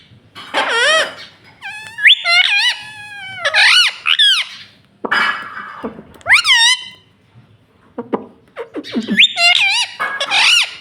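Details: Green ring-necked parakeet kept as a pet, talking in loud, buzzy, arching syllables grouped into several phrases, interrupted by harsh noisy bursts and short gaps.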